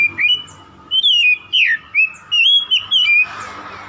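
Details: Song of an oriental magpie-robin used to provoke a rival: six or seven loud, drawn-out whistled phrases, each bending down at its end, spaced by short pauses.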